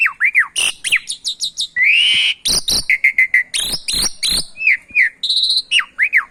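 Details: Javan pied starling song blended with canary song as a training recording meant to prompt a quiet starling into singing: loud, varied whistles, rising-falling slurs, harsh bursts and a long buzzy note, delivered densely without pause.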